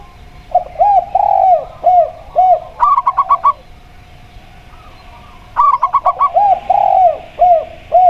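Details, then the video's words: Local perkutut, a zebra dove with a clear 'plong' voice, sings beside a spotted dove. Brief staccato bursts of high coo notes come twice, amid frequent deeper, bending coos and a quiet pause. "Perkutut Lokal Suara Plong"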